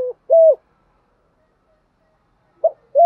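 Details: Spotted dove decoy bird calling in the morning to urge newly caught doves to coo: two short, hoarse, level coos, the second longer, separated by a long silent gap, with a clipped note at the end.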